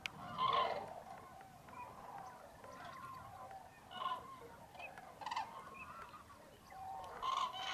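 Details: Hundreds of common cranes rouse at a packed winter roost in Tablas de Daimiel National Park, Spain, in cold mid-January fog before sunrise; strong trumpeting calls at start and end, softer bugling between, geese and teal also present.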